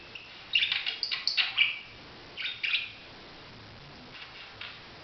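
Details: Budgerigar calling, a quick run of bright, scratchy chirps in the first two seconds, then a shorter burst and a few faint notes, over a quiet background.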